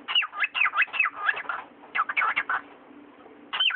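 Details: Pet cockatiel talking: a burst of quick, bird-voiced syllables that bend up and down, a pause of about a second, another chattering run, then a quiet gap before a final rising-falling phrase. A faint steady hum sits underneath.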